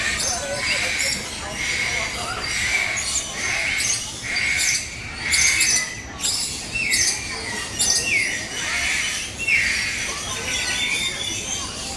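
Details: Captive lories and lorikeets at Jurong Bird Park in Singapore give loud, grating screeches in bursts roughly every second, over a steady background of more chattering birds.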